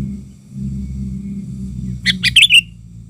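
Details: Sooty-headed bulbul used as an agitated lure bird to attract wild bulbuls: one short burst of bubbly, chattering notes ending in a bright rising-falling whistle, over a steady low hum.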